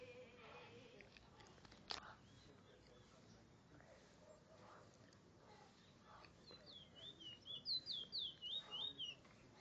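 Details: A Chestnut-bellied Seed-Finch (Trinidad bullfinch) at Barrackpore, Trinidad, sings a quick run of high, sweet warbled notes, dipping and rising about four times a second, over a hissy background with one sharp knock.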